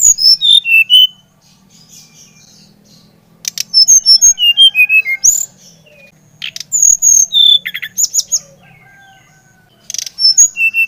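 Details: Brown-chested jungle flycatcher, Bali type, in full song meant to stimulate another bird: three bursts of quick descending whistled notes separated by short pauses, some buzzy high elements, faint hum underneath.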